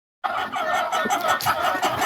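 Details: Farm laying hens about to lay eggs give a dense, nasal run of clucks and drawn-out calls, the pre-laying sound they make before laying.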